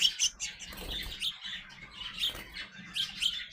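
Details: Young sparrows growing up give short, bright chirps in loose clusters, some doubled, with brief quiet gaps and soft rustling below.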